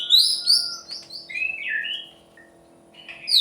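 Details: White-rumped shama, used to provoke other birds into song: high, thin whistled phrases and slurred notes, a short pause, then a loud high note at the end.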